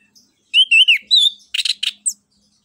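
An orange-headed thrush sings a brief, varied phrase: clear, wavering whistles, then a few harsh, scratchy notes and a thin, high falling note. No other sounds.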